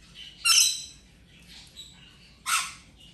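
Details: Rainbow lorikeet playing while it recovers from injury: two loud, rasping, high screeches two seconds apart, with quieter scratchy notes between.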